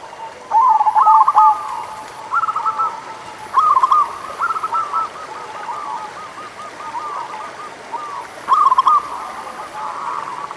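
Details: Zebra dove from local stock singing to prompt reluctant birds; short bursts of quick rolling coos repeat every couple of seconds, with quieter rapid notes trailing between them.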